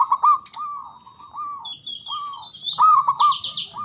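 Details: Local Javanese zebra dove with a loud, large, long-breathed voice, used to prompt silent doves to sing. Repeated mid-pitched arched cooing notes in rolling phrases, mixed with higher thin whistles and chirps from other birds.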